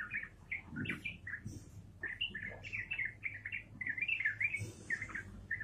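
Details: Yellow-vented bulbul in lively, rapid ropelan-style song: a quick run of short bright whistled notes, many slurred up or down, repeated almost without pause across the clip over a low background hum.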